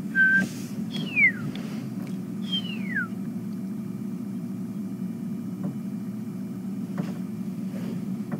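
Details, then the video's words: Pearl-spotted owlet calling mid-morning on 21 August 2015 in late winter near a resting leopard: a short level whistle, then two clear whistles sliding steeply down, over a steady low engine rumble. "birds calling off. You can hear some pearl-spotted owls."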